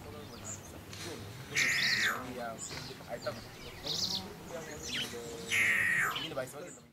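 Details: Tropical Boubou (Laniarius major), recorded in Gisenyi, Rwanda, in March 2013: two loud, harsh, rasping bursts about four seconds apart, with softer scratchy chatter and faint background noise between them.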